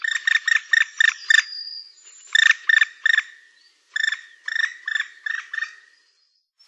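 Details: Black woodpecker calling: clear, ringing notes given in quick bursts of three to six, each burst about a second long and separated by short pauses, with one brief thin high whistle between the first two bursts.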